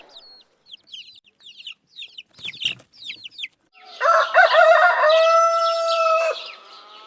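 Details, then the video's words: A short series of high chirps and a brief rustle, then a rooster crows loudly for over two seconds with a wavering, then level, harmonic tone. "Som de galo cantando e galinha cacarejando"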